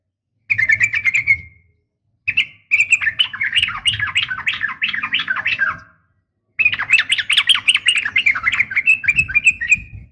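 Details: Female sooty-headed bulbul calling to a male, a brief bright phrase followed by long, busy runs of warbled chattering notes with short gaps between bursts, over low background noise.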